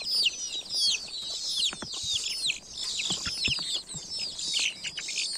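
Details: Village baby chicks peep in a busy chorus of piercing, downward-curving cheeps that overlap without pause, interspersed with short soft clicks and scratching taps.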